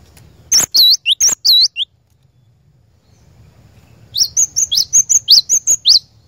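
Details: Cinereous tit lure song to set a caged bird singing nonstop: looping high whistled couplets, then after a pause a faster run of short, sharp rising notes, about eight in under two seconds.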